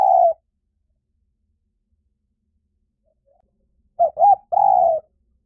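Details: Spotted dove, recorded as a lure meant to draw wild doves in quickly in any forest: one low coo at the start, a long silence, then two short clipped notes and a longer drawn coo.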